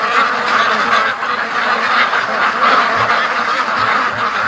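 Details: A big flock of free-range ducks pouring home from the lake toward the feed; loud, dense quacking from many birds at once, rasping and unbroken, with faint low thuds in the final seconds.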